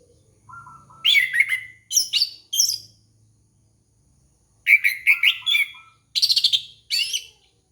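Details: Lure song of an orange-headed thrush for training a young bird: soft low whistles lead into quick rising chirps and warbles, and after a few seconds' silence a second phrase of sharp notes ends in a fast buzzy trill.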